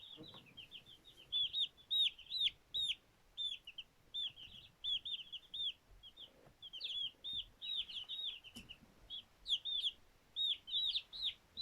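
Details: Two-day-old chicks running around and playing, giving rapid high-pitched peeps. The short arched notes come in quick bursts and irregular runs with brief pauses between them, and faint low rustling sounds underneath.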